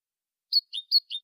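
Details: European goldfinch singing in the copia malaga style, from an edited recording meant to teach young birds. Four short, high chirped notes come in two pairs about 0.2 seconds apart after a brief silence, each pair dropping slightly in pitch.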